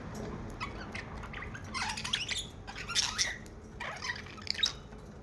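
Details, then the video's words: Pet budgerigar singing in bursts of noisy, scratchy chatter mixed with short harsh squawks and brief bright chirps, with quiet pauses between phrases and low room hum underneath. "Singing Budgie Bird"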